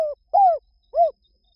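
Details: Spotted dove heard in three soft arched coos, each falling at its end, the first cut short at the start, in a silent background.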